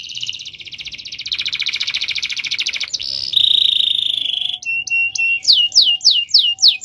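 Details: Caged canary in a long rolling song, a dense rapid trill running for about three seconds, then a steady bright whistled tone and a run of quick downward-swept notes repeated several times a second.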